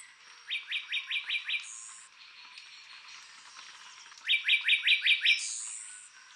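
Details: Juvenile Puerto Rican bullfinch eats banana while an adult sings, an endemic of Puerto Rico: a quick series of five or six bright, slurred notes ending in a high thin whistle, given twice about four seconds apart.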